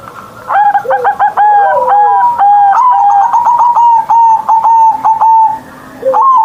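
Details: Zebra dove singing a big-voiced morning song: overlapping rolling coos from the start, then a long, steady series of rapid pulsed coo notes, ending with a brief rising coo.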